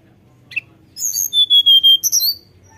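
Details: Flute-like song of a Sunda Robin (tledekan gunung), used as a lure to encourage captive birds to sing often. A brief high chirp precedes buzzy high notes, then a run of five or six clear level whistles ending in more buzzy twittering.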